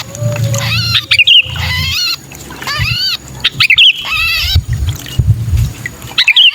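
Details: Sooty-headed bulbul distress calls, meant to lure bulbuls that are slow to come down: repeated harsh, arching screeches, each ending in a bright whistled flourish, with a quieter low hum beneath.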